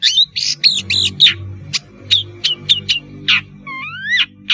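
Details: Long-tailed shrike in full song, a lure for spotted juveniles learning to sing: a run of harsh buzzy notes, then sharp clicks, then two clear rising whistled slurs near the end, over faint low hum.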